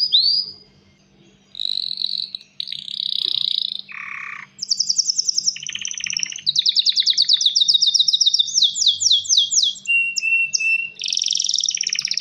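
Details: Male canary singing to call a female and stimulate mating and nest building: a long varied song of whistled slurs, buzzy low rolls, and fast high trills of rapidly repeated notes, phrases shifting every second or two, steady hum underneath.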